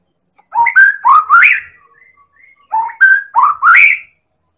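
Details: Medan-type white-rumped shama from Indonesia, an energetic singer whose song is used to provoke other birds into singing: two matching bursts of loud, mellow whistled notes sweeping upward, with soft fainter whistles between them.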